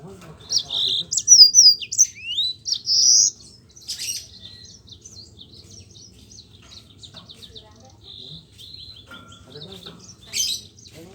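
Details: Yellow-fronted canary in lively rolling song, used as a lure to get reluctant Mozambique canaries singing: a rapid burst of high whistles, slurred upsweeps and chattering notes over three seconds, then softer scattered twitters and a final sharp note.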